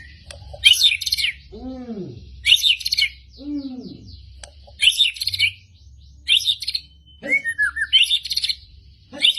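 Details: White-rumped shama from Medan singing persistently with sharp 'tembakan' shots: short, explosive bursts of high chirps about every two seconds, with some lower, rising-and-falling arched notes in between.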